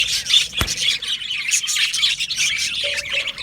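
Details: Budgerigar colony in an aviary, singing and chirping: dense overlapping warbles and chirps from many birds, with a sharp click just after half a second and a brief low hum near the end.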